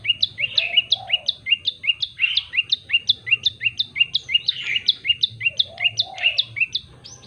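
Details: Common tailorbird, prenjak lumut, singing energetically with variation: continuous fast series of paired, sharp, high chirps, about three per second, with occasional lower, softer notes in between.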